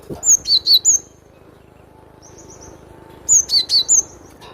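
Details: Cinereous tit singing crisply, two phrases of four high, clear notes that slur downward, each group quick and evenly spaced, with a soft high trill in the pause between.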